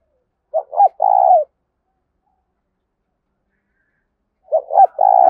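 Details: Spotted dove cooing in the urging 'thúc' voice used to lure wild birds. Two phrases about four seconds apart, each with two short low notes and a sustained, gently falling coo; otherwise silent.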